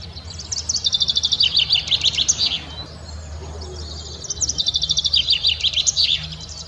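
Common Chaffinch singing two bright phrases: quick repeated notes that speed up and tumble down into a final flourish, with a pause between songs over a low background hum.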